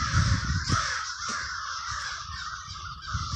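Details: A roost-like throng of crows in Villa Park, Trenton, NJ, caws overlapping into a steady racket while low rumbling noise and a few sharp clicks sit underneath.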